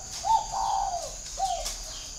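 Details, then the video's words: Spotted dove kept as a perched decoy bird, described as having a whistle-like voice, from a bird garden in Ba Vì, Hanoi, Vietnam: a short low coo, a longer drawn-out slurred coo falling at the end, then a brief closing note, with steady background hiss. "MỒI CÀNH GIỌNG CÒI"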